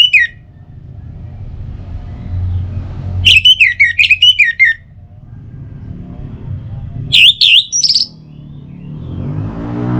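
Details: Orange-headed thrush singing, a lure for morning and evening: a single sharp note, then a rapid, jumbled phrase of scratchy whistles around the middle, and a later burst of bright looping notes, over low rumbling background noise.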